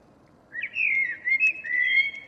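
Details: Common blackbird singing its morning song on 2 April 2013, a local bird: a mellow fluted warble gliding around the mid range, split into three rich whistled phrases over quiet background.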